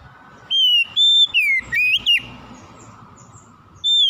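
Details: Oriental magpie-robin, a kacer, with a song meant to coax a lazy bird into singing: clear whistled notes near one pitch, some slurring downward, given in a burst of five, then a pause and one more long whistle.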